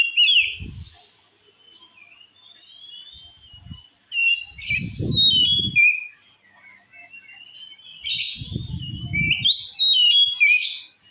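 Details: Oriental magpie-robin song claimed to enrage other magpie-robins: repeated bursts of sharp whistles and harsh buzzy notes alternating with softer warbling, over recurring low muffled thumps.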